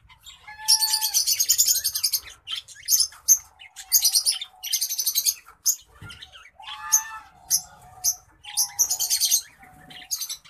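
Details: A pair of zebra finches, a male orange-breasted black-faced and a female Isabel, with buzzy, nasal song bursts mixed with short tooting calls.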